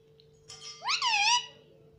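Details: Pet ringneck parrot indoors saying "mummy": a single rising, harmonic, voice-like phrase that swoops up then levels off, over a faint steady electrical hum.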